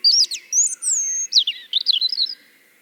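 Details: Played-back European Robin song from a bird-song event in Tartu, Estonia: quick high liquid notes, a long even whistle, then descending tinkling phrases fading out, over a faint background hum.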